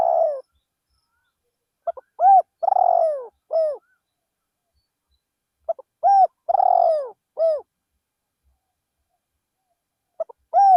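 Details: Spotted dove used as a decoy bird, calling in a rice field. Three cooing phrases about four seconds apart, each with two quick soft notes, a clear coo, a long burry coo and a falling final coo, in a quiet background.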